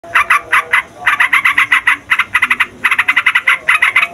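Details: Sooty-headed bulbul in loud, busy song, used as a lure to trap wild bulbuls and as a tutor for young birds: rapid bursts of harsh, buzzy chattering notes, repeated in quick clusters with short gaps.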